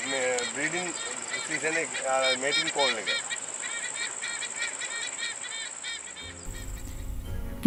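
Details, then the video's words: A pair of White-bellied sea eagles calling in the evening air at Udawalawe National Park, Sri Lanka, a breeding-season mating call: loud nasal honking notes repeated rapidly for about three seconds, under instrumental music with a steady high tone. "calls of a pair of white-bellied sea eagles ring through the evening air. Breeding season mating call."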